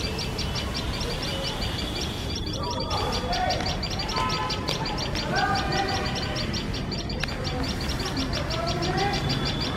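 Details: Tailorbirds defending their nest from a male cat sitting close by: rapid shrill chipping repeated steadily, with other lower wavering calls and honk-like sounds in between and constant low background noise.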